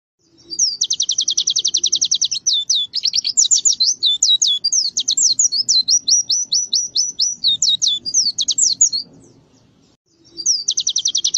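A canary sings a loud, high burst of rapid rolling trills and quick varied chirps for about nine seconds, pauses briefly, then launches into another trill.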